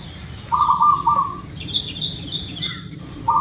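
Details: Local zebra dove cooing in a rippling trill, then a thin high twittering from another bird, and the dove's next phrase beginning at the end; meant as a lure to make birds call quickly.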